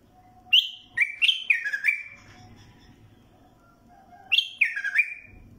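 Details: Mandali bulbul singing two rich fluty phrases of four or five descending slurred whistles each, separated by a pause of about two seconds, over a soft background hum.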